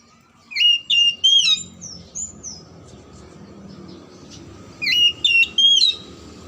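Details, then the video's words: Kacer song played to coax silent or lazy oriental magpie-robins into singing: three loud whistled notes, a few softer high chirps, then another set of three bright, sliding whistles. "PANCINGAN KACER MACET & MALES BUNYI AGAR JADI KACER RAJIN GACOR NGOBRA"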